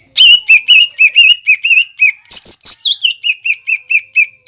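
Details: Greater green leafbird in full song, 'nembak ngekek' style, played to provoke young leafbirds into answering and imitating: steady run of bright whistled notes about four per second, broken midway by a higher, faster trilling phrase.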